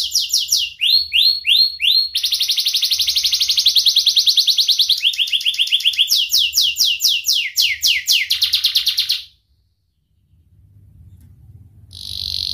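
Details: Sharp-voiced young canary singing as a lure for juvenile canaries learning to sing: repeated rising whistled notes, a long fast buzzy trill, further rising phrases, a silent gap and a final trill.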